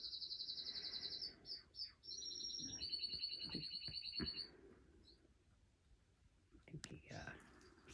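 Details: Male canary, escaped from his cage at home and perched in fake flowers, sings high, rapid rolling trills in several linked phrases for about four seconds, then falls quiet while a woman talks softly.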